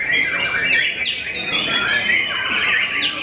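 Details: Short burst from a white-rumped shama kept for song contests and said to silence many rivals: clear swooping whistles and scratchy upslurred notes, repeated in rapid succession.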